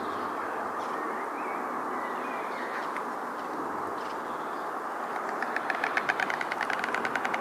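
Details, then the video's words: White storks on a specially erected nest platform at Hähnlein in southern Hesse, Germany. Rapid, dry, rhythmic clattering bursts begin about five seconds in and build steadily. Constant broad rushing background noise and faint small-bird chirps come earlier. "Klapperstorch - Weißstorch - Ciconia ciconia"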